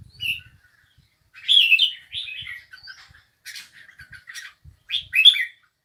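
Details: A bulbul gives a few clipped chirps, then a burst of rich warbling, followed by thinner scattered notes and a final loud phrase, with faint low taps.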